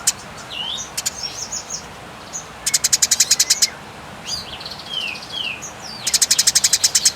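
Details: Eurasian tree sparrow fighting calls: scattered chirps and slurred whistles at first, then two dense bursts of quick, high, ringing chirps around the middle and at the end.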